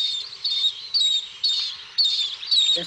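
Bronze-winged jacana giving high, wheezy, squeaky notes in short bursts, about two each second, with a faint low sound near the end.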